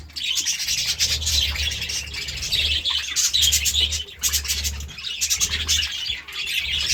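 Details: Steady morning chirping of budgerigars, an energetic run of high twittering and raspy warbles that hardly pauses, with a low droning hum beneath.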